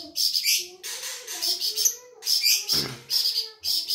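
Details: Flamboyan bird from Sumatra, an insect-eater favoured by songbird keepers, singing: dense, harsh, high chirping bursts with a brief low thump partway through and faint lower tones beneath.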